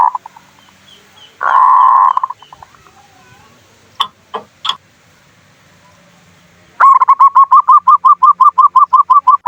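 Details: Zebra dove (perkutut) singing in manggung style, played as a lure to stir other doves. Brief loud steady note, scattered clicks, then a fast, even run of short, identical mid-pitched coos, about three per second.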